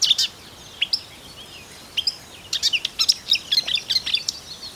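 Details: Marsh warbler song from Russia: a few scattered high chips, then an accelerating chain of crisp, varied whistled and ticking notes packed closely together, with a light hiss behind.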